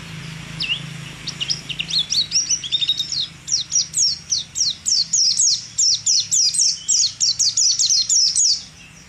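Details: A prize-winning competition white-eye (pleci) sings a fast, high chattering song of rapid twittering notes, about three to four per second, sweet and jumbled, with faint low hum beneath.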